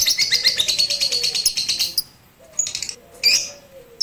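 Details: Caged lovebird on a roof during its first song-training session on 18 April 2021, with a master recording used to lengthen its singing: fast, high, buzzy chattering notes that fade out, then two short bursts of chirps after a pause.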